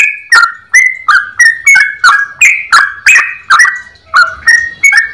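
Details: Clear-voiced yellow-vented bulbul, long ropel song: a steady series of loud slurred whistled notes roughly three per second, some notes rising and others falling, with a brief softer stretch near the end.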